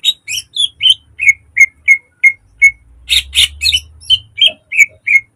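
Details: Caged green leafbird used as a lure and model song for training, with many imitated phrases. Clean downslurred whistles repeat about once a second, broken by two loud rasping bursts.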